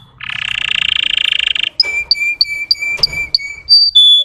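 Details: Russian canary song played to rouse untrained canaries: a buzzy pulsed roll lasting about one and a half seconds, followed by a steady series of short whistled notes.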